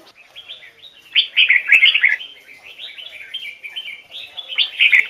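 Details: Red-whiskered bulbul singing a standard-voiced, double-note style of the Hoài Sơn forest, used for bird training; loud bright warbled phrases burst out around the middle and end over a steady layer of softer chattering twitters.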